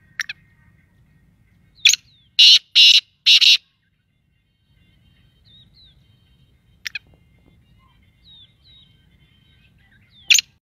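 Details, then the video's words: Sindhi Pakistani black francolin calling three loud, harsh, buzzy notes in quick succession, with sharp clicks before and after and faint thin whistles from other birds over a low rumble. "Kala teeter Sindhi Pakistani"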